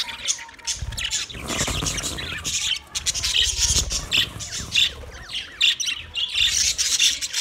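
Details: Twenty budgerigar pairs fill the air with a dense, scratchy chorus of chirps and short squawks, broken by a brief lull near the third second.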